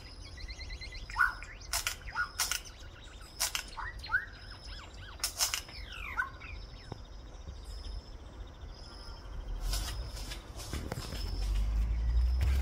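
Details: Solitary cacique singing a varied run of slurred whistled notes rising and falling, mixed with sharp clicking snaps over the first seven seconds, followed by sharp clicks and a growing low rumble.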